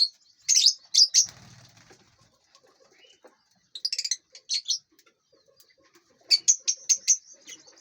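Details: Inside a large aviary, lovebirds eat and fly. Shrill chirps come in three separate clusters with quiet gaps between them.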